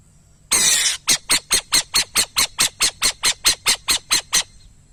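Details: Burrowing owl: a loud breathy hiss lasting half a second, followed by about sixteen scratchy squawks repeated quickly and steadily, near four per second.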